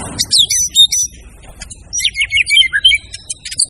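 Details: White-rumped shama singing fast, varied, high twittering and whistled phrases over a low background rumble.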